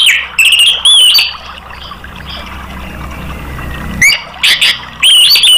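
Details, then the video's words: Song of an orange-headed thrush, played to get caged birds singing: loud warbled whistles and clicks at the start and end, with a quiet gap of low hum in the middle. "TERAPI ANIS MERAH bikin ikut NGEPLONG ¦ PANCINGAN AM"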